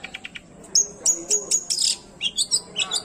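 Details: Long-tailed shrike, unedited original song, played to stir up other shrikes that are silent or stressed: rapid high chattering notes, clipped whistles and buzzy bursts in quick succession, several notes per second.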